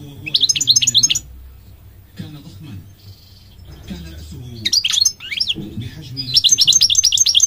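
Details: Goldfinch song in bursts of rapid bright twittering trills, high and tinkling, alternating with a man's narration and a steady low hum in the background.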